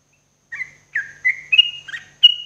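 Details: Morning song of a sooty-headed bulbul, played as therapy for caged birds: five clear whistled notes after a brief silence, some swooping downward, others level, spaced about half a second apart.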